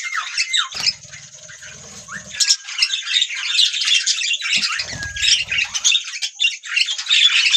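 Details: Budgie parrots chirping and singing: busy, scratchy high warbling with occasional rising whistled notes and squawks, continuous and growing louder toward the end.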